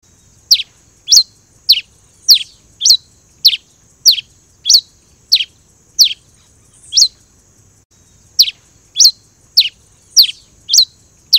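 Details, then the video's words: Singing pileated finch giving a steady series of clear, sharp, high chips that slur downward, about one every half second to second, with a brief pause midway and a quiet background. "O canto do TICO-TICO-REI-CINZA (Coryphospingus pileatus) | Pileated Finch"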